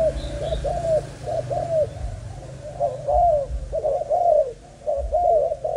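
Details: Steady low cooing from a young Malaysian-strain spotted dove: soft short-then-long coo pairs repeated roughly once a second, with a brief quiet gap near the end and faint low rumble throughout.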